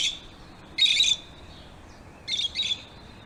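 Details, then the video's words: Lovebirds chirping, as they do when playing, eating or excited: two bursts of harsh, high chirping about 1.5 seconds apart over steady background hiss. "Lovebirds Chirping Sounds"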